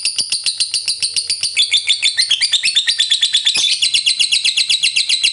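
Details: Lovebird ngekek panjang, a long fighter chatter meant to coax other lovebirds to sing: continuous shrill, buzzy notes in fast succession, varying slightly in pitch, with one sharp click midway.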